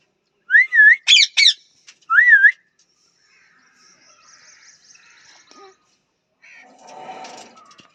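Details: Parrot calling in a few loud, looping whistles, wavy notes rising and falling, with a harsher, higher burst between them. This is followed by faint, soft background sounds and a low, muffled noise.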